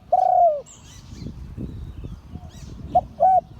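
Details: Spotted dove of a prized auspicious type giving one long, loud, falling coo, then after a quiet gap a short note and brief coo beginning the next phrase; faint chirps and low background noise.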